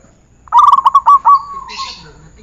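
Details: Zebra dove song from a training recording: a burst of about eight quick, staccato cooing notes near one pitch, rolling together and trailing off into a softer drawn-out tail, in a quiet setting.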